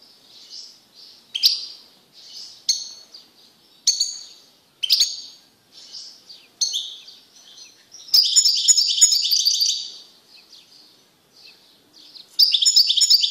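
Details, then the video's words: Male European goldfinch in a cage, singing hard after being separated from a female canary it mated with: a string of separate sharp high chirps, then a long bright twittering trill and a final burst of rapid notes. "تغريد قوي لذكر طائر الحسون بعد عزله عن أنثي الكناري"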